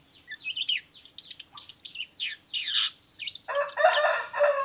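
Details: Lively song of a Long-tailed shrike, played as a lure to prompt other shrikes to reply: quick descending whistles and scratchy chips give way to a lower, harsh, squawking phrase held for about a second near the end.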